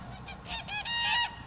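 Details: First common cranes of the year, met on 4 March 2013 as a sign of spring coming: a short run of loud, rich trumpeting calls, rising in strength toward a longer final note.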